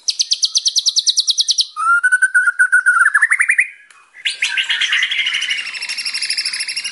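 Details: White-rumped shama, recorded as tutor song for training young birds, singing a rich, varied song: a fast rattling trill, a rising whistled phrase, then a bright chattering run of high notes.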